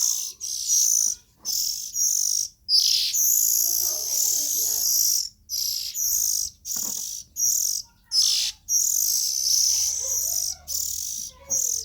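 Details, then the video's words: Young Oriental magpie-robins produce a steady run of harsh, wheezy hisses, each burst about a second, separated by brief silences. "Tiếng Chim Chích Chòe Than Non Kêu Hay Nhất"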